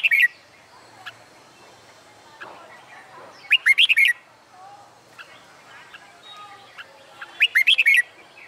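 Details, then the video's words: Red-whiskered bulbul singing under the summer sun, part of contest song training; bright warbling phrases of quick rising and falling notes at irregular intervals, with soft background chirps and faint noises. "LUYỆN CHÀO MÀO HÓT ĐẤU/ CHIM CHÀO MÀO HÓT GIỮA NẮNG NGÀY HÈ"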